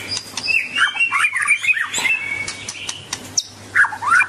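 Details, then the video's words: Melodious song of a White-rumped shama, a rapid run of whistled slurs and rising and falling warbles broken by sharp clicks, with a faint steady hum in the background. "Kicauan Merdu Burung Murai Batu"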